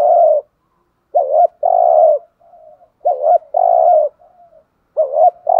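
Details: A decoy spotted dove coos in the urging thúc gù style to lure wild doves: about four phrases, each a hooked double note then a long low coo, with faint soft notes in the gaps.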